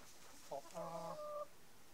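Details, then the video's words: Denizli rooster giving a short crow: a brief rough opening note, then a held harmonic tone of about three-quarters of a second that ends abruptly, with faint background hiss. "denizli horozu ötüşü sesleri"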